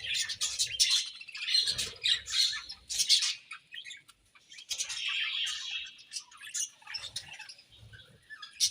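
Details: Several budgies chirp while they eat, giving a continuous high chatter of squeaky notes and warbled phrases that rise and fall in loudness.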